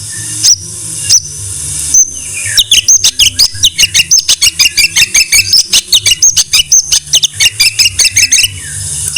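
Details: Song of a white-rumped shama played for training other songbirds: a few single high notes, then a long, fast, varied stream of chattering trills and twisting whistles, all high and sharp.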